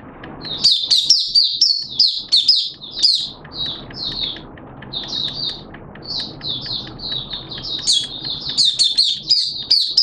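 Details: Caged Oriental white-eye from Malaysia singing open song on 21 June 2023: high, rapid chirped phrases in bursts, with a brief lull midway, over steady low background noise.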